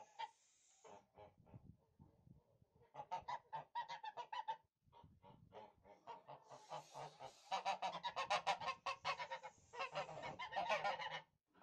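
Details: Tula fighting geese, domestic birds of Russian origin, start with scattered soft honks that build into a loud, fast, rhythmic honking chorus with a hissing noise overhead.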